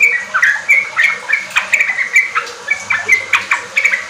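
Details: Sooty-headed bulbul in full, lively song, played as a lure to get young kept bulbuls singing riwik and ropel style; quick bubbly chirped phrases repeated about twice a second, with a faint low hum beneath.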